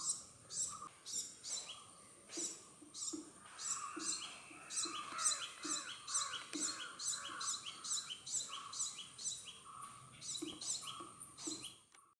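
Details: Male purple sunbird courtship song, bird seen close while taking nectar: a fast run of high, thin, twittering notes, about two per second, over a steady background hiss.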